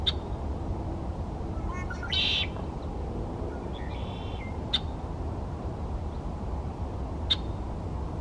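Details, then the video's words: Red-winged Blackbird recorded 30 January 2024, giving a few sharp, high check notes spaced a couple of seconds apart, plus a brief buzzy note, over a steady low rumble of wind or traffic. "Red-winged Blackbird"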